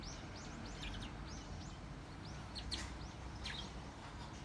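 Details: Captive pet Bourke's parrot, from a time before it learned to mimic human words. It gives a quick series of short, arched, high chirps, several per second, over a steady low indoor hum.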